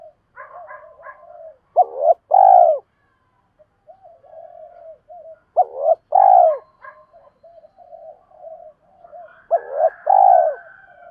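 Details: Decoy spotted dove calling wild doves: three loud coo phrases about four seconds apart, each a clipped note followed by a fuller hoarse coo, with quiet murmuring between.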